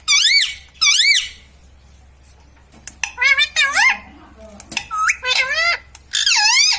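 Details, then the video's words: Indoor green ringneck parrot mimicking speech, calling words such as mummy and mitthu: two loud arched syllables, a pause, then a fast string of wavy, harmonic spoken-sounding notes. "Talking parrot - Mitthu mitthu - Mummy Bolne Wala Tota"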